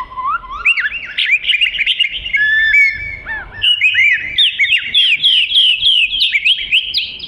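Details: Singing Oriental magpie-robin, small black-and-white songbird with long tail, giving an energetic medley of rising whistles, short chirps and rapid looping slurred notes, phrases tumbling quickly one after another.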